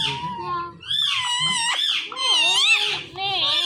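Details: Indoors, a male pet Indian ringneck parrot watching its own videos gives loud, continuous talking with wavering, rising and falling tones in speech-like phrases.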